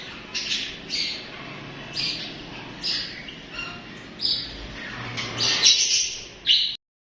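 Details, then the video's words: Budgerigars (parakeets) give scattered sharp, high chirps and squawk-like notes at irregular intervals, with a louder cluster of chatter near the end and quiet background between calls. "Listen to These Cute Budgies chirping Nonstop!"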